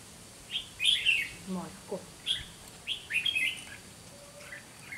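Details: Red-whiskered bulbul decoy in a trap giving fighting song: a quick series of clear, chirping, slurred notes in short bursts, with a faint low voice mixed in near the start.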